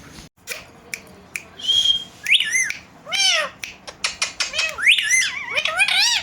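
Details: Pet Indian green ringneck parakeets indoors before a mirror, said to imitate a cat's meow: a held whistle, then repeated arched meow-like squawks among sharp clicks and quick chirps.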